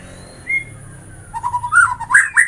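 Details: White-rumped shama giving a single rising whistle, then a pause, then a quick string of warbled fluty notes that climb toward the end.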